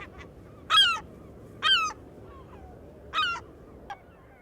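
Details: Herring Gull (Larus argentatus) giving its call, not song: three loud, harsh, nasal yelping calls, each about a quarter-second long and spaced roughly a second apart, with faint softer notes between.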